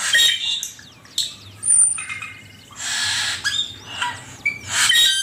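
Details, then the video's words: Song of the Asian pied starling for training songbirds: bursts of harsh broadband screeches alternating with thin whistles and a long high pure note, in a varied, uneven rhythm. "Suara burung cucak keling masteran jitu 100%"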